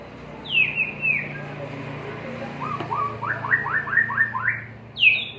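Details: Caged white-rumped shama displayed on a terrace singing loud whistled phrases: a bright downward slur, then a quick run of five or six short rising notes, ending with another sharp high slur over a low steady hum.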